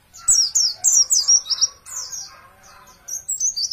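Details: Champion Oriental white-eye song used as training material for caged birds: rapid, high, squeaky phrases of falling notes, then a quieter pause before more thin, bright twitters.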